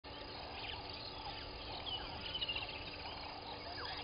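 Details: Southern masked weavers at their nests by Gowrie dam waterhole, Djuma Game Reserve, Sabi Sand, South Africa, at 06:35 on 01/11/21, keep up a dense, buzzy, sizzling chatter of overlapping calls over a steady low electrical hum.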